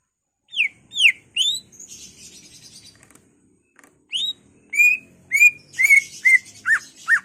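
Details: Greater green leafbird performing ngentrok song with isian to rouse other leafbirds. Three rising and falling whistles, a stretch of soft chatter, then a fast run of level and sharply falling whistles.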